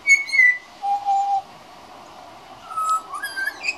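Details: Young pied butcherbird practising its song with a run of pure, flute-like whistles at varied pitches: a descending high note, a long low steady note, then a mid note and rising, quickening whistles toward the end.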